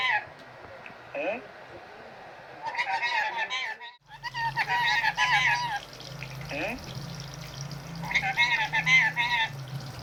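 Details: Pet Indian ringneck parakeet talking in repeated bursts of warbling, speech-like phrases, with a low steady hum and soft water sounds in the room behind.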